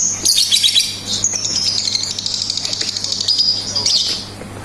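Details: Lovebird singing in the ngetik style with ngekek chatter: dense high buzzy trilled chatter, sustained and slightly wavering, with sharp rapid ticking notes at the start and a steady low electrical hum beneath.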